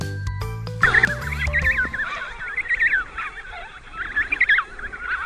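Penguins give harsh, wavering braying calls, several birds overlapping in bursts for about four seconds, after a brief snatch of music.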